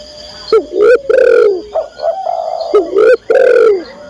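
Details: Female spotted dove calling to the male: two short low coos, then a drawn-out falling coo, a soft burbling middle section, and the same phrase repeated, all deep and mellow, with a faint steady high hum behind.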